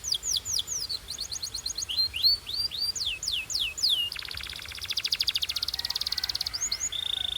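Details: Belgian canary warming up, singing a varied song: falling whistled slurs, quick trills, then a long buzzy rolling trill and a steady high note near the end.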